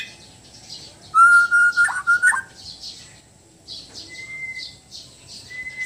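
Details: White-rumped shama from Sabah, Borneo, with relaxed and loud song: a long, steady whistled note breaks into quick warbled flourishes, followed by quieter scattered notes and two thin, level whistles.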